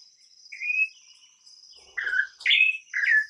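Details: Song of an imported campo troupial: a clear rising whistle, a pause, then three loud mellow whistled notes in quick succession over a continuous high-pitched insect-like buzz.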